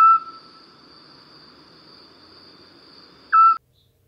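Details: Eurasian scops owl (Otus scops) in the Iberian Peninsula at nightfall, just after sunset, gives two short, soft, mellow whistled notes about three seconds apart over a thin, steady high whine; song of mates greeting and family members keeping contact.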